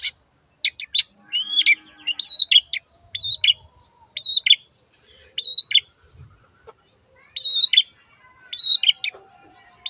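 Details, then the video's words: Singing long-tailed shrike in 'gacor' form, played to make a silent bird sing: thin high whistles and twanging two-part notes, grouped in brief phrases separated by gaps of a second or more. "BURUNG CENDET GACOR YANG BISU JADI BUKA SUARA DAN IKUT BUNYI"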